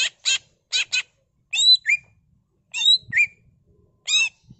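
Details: Leafbird (cucak ijo) in a ngentrok 'full isian' pancingan song: paired harsh rasping notes open the phrase, followed by bright downslurred whistles and twangy notes, delivered in quick doublets with short gaps.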